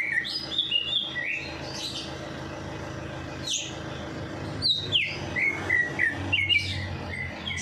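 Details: Caged songbird singing after a night bath, used to stimulate lazy birds to sing: varied high whistled and chirping notes, some sliding downward, scattered through the clip over a steady low hum.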